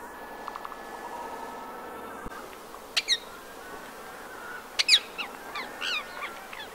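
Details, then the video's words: Rose-ringed parakeets in the town of Empuriabrava, Catalonia, on 26 January 2022 in winter: a few sharp, arched screeches after a quiet start, over a low steady background hum. "PERRUCHE à Collier/Psittacula krameri/Hiver ! BRUITX"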